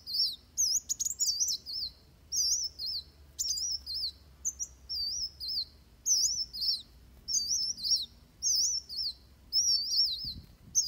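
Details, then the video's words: Van Hasselt's sunbird delivering fighting song for training birds: repeated high, wavering warbled phrases roughly every second, with occasional sharp clicks and a brief low thump near the end. "Suara Kolibri Wulung Tarung Buat Masteran"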